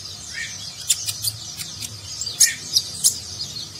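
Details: Konin sunbird used as a master voice for contest birds, singing Nagen style: soft high warble with a few sharp, very high chip notes spaced about half a second apart, fairly quiet throughout.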